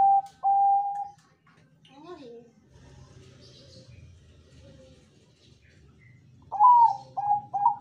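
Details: Bangkok zebra dove singing a strong lure song meant to draw other doves to answer: two loud, clear coos, then a quiet low murmur with a brief rising chirp, and three more short accented coos at the end.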